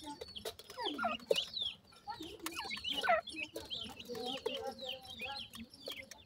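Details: Grey francolin babies exploring and learning to search for food: bright, sharply falling chirps in bursts from several chicks, a couple of longer swooping notes, and low clucks beneath, with a few clicks.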